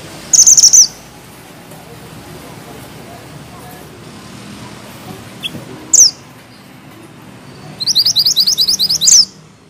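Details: Mountain bushchat singing hard with tight rolls and sharp notes: a brief high trill, a long pause, a single sharp note, then a fast run of evenly repeated high chips.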